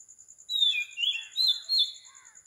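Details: Oriental magpie-robin in early-morning song, 4 am, Sri Lanka: four loud, sweet whistled phrases, sliding and wavering, each about half a second long. A high, regular insect pulse runs underneath.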